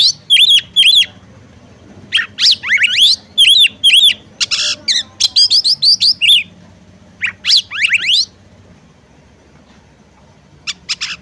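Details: Female oriental magpie-robin luring a male to sing: clear, loud chevron-shaped whistled notes in pairs and quick rising sweeps, repeated about twice a second in bursts, then fading to a few faint notes at the end.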